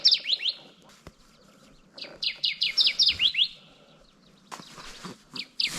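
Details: Male Kirtland's Warbler on its breeding territory in Michigan jack pines, June: short loud phrases of quick down-slurred chirps, one burst near the start and a longer run of about seven notes mid-way, with rustling and handling clicks.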